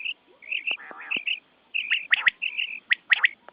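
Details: Quail call recorded for night hunting: bright high double notes interleaved with a harsh buzzy burst and sharp loud clicks.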